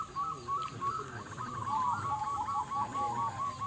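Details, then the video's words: Zebra doves at a 2022 local singing contest in Bolorejo village, Kalangbret, Tulungagung, East Java, Indonesia: many overlapping fast trilled cooing phrases, steady and mid-pitched, among a crowd of similar birds with low background hum. "LOMBA PERKUTUT LOKAL NUSANTARA"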